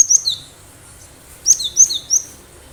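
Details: Wild-caught cinereous tit singing, used to attract other birds, delivering two quick series of high, clear, downward-sliding whistles, four or five notes in the second series.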